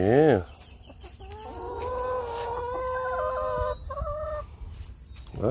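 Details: Noisy chickens giving a drawn-out, steady, harmonic call held for about two and a half seconds, then a shorter similar note, with a brief human voice at the start and end.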